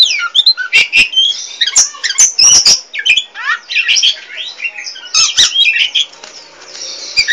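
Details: A "poci" Oriental magpie-robin (kacer) sings nonstop: a rapid, varied jumble of high whistles, slurred notes and harsh chattering squawks with sharp clicks, barely pausing.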